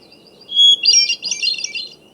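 Hermit Thrush song: a clear, pure whistled opening note, followed by a rapid, high, shimmering flurry of fluty notes, all within about two seconds.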